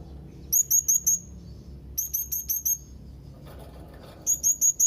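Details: Young Blue-crowned hanging parrot calling to rivals. It gives very high, thin, sharp chirps in quick bursts of four or five notes, with three bursts separated by short pauses. A faint low hum runs underneath.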